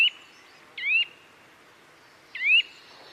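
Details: Bird chirping in quiet surroundings: three clear, bright whistled chirps, each a short sweeping note trailing into a steady thin tone, spaced irregularly.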